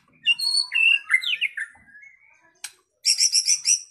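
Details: A white-rumped shama sings from a recording played to excite other shamas into song: varied slurred whistles and swooping phrases, a sharp click, then a quick high chattering burst of repeated notes.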